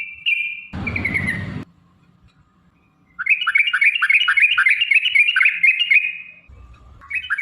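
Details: Sooty-headed bulbul, rapid 'ropel' lure song to make other bulbuls sing: a short whistle, a burst of harsh noise, near silence, then a fast run of bubbly descending notes for about three seconds before a final phrase.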